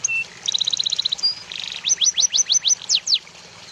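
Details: White-rumped shama song used as a training recording for other songbirds: a high, varied phrase of short sharp whistled notes, a quick run of repeated chips, then a series of steeply falling whistles about every quarter second.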